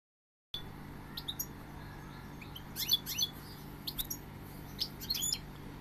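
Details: Goldfinch giving scattered high, sharp twittering notes and short tinkling bursts after a moment of silence, with a steady low hum underneath.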